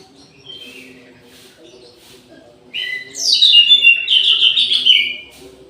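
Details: Orange-headed thrush in an aviary at midday, softer notes first, then a loud, fast, descending and warbling whistled phrase sustained for about two seconds; faint low hum in the background.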